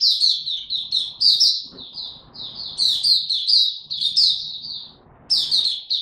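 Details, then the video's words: Oriental white-eye in ramped-up form, singing in the buka tiong aw style, recorded 3 January 2022: rapid high twittering phrases of sweet chirps and slurred notes, bursts separated by short pauses, faint low room noise beneath. "Mata Puteh Dagger ramp up form buka tiong aw sing"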